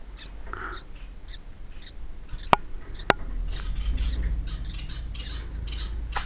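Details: Three-day-old Gouldian finch chicks in a nest, 9 April 2012, begging for food: faint, high, wheezy calls in quick irregular bursts, over a low background rumble with two sharp clicks.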